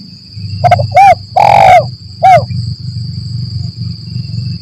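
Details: Spotted dove lure call meant to make silent wild doves respond during trapping, kuk 1 mersik style: one phrase of quick notes, arched coos and a long drawn coo, followed by low rumbling background noise and a high steady whine.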